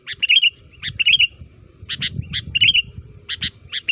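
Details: Sooty-headed bulbul lure call for setting off replies from other bulbuls: doubled sharp notes and bright warbled phrases at intervals, with a low murmuring background noise beneath.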